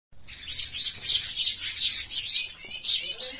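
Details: Sparrows fighting: a dense, scratchy chatter of high, harsh chirps in rapid overlapping bursts, pulsing roughly every half second.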